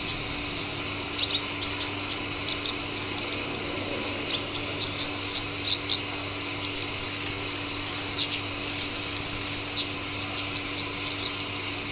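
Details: Purple sunbird giving a long sequence of high, thin, scattered chips and sharp downslurred notes in irregular bursts, with a steady faint hum underneath.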